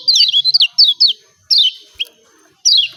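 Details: Energetic "ciak ciak" calls of a lemon-bellied white-eye from Lombok, meant to stir silent birds into song. Four bursts of thin, high chirps, each sliding downward, arrive within three seconds against a quiet background.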